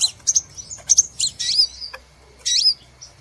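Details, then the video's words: Lure call of a crimson sunbird, played to attract birds for trapping: a few piercing high chips and brief twisting whistled notes that rise and fall, separated by short silences. "Suara Pikat Burung sepah Raja"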